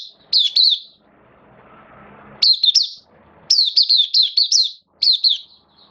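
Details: Hobby-kept oriental white-eye in song: short bursts of sharp, high, slurred twitters, first paired notes then a fast run of six or so, with faint rumbling noise between phrases.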